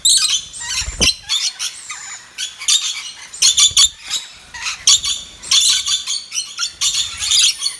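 Red-collared lorikeets give harsh, high screeching squawks in rapid bursts, several birds overlapping, with brief pauses between volleys; a low thump is heard early on.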